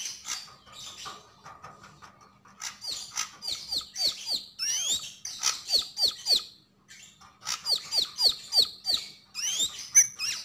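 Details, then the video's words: Javan grey-throated white-eye, sogon, in full gacor and ngobra song: a soft buzzy start, then rapid runs of high bright chirps, each falling steeply in pitch, repeated about three to four times per second, with short pauses between runs. "Sogon sogok ontong gacor dan ngobra"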